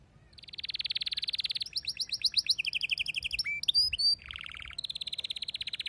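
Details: A male canary kept at home sings as a female calls for mating. A long buzzy trill gives way to quick chopped syllables, a brief sweeping squeak and a lower rattle, then another high buzzing trill.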